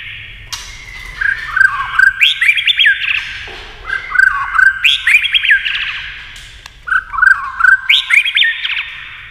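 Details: White-rumped shama singing in competition against a television, tail flicking: repeated phrases of mellow low whistles rising into bright, sharp notes, each phrase about two seconds long and sung four times.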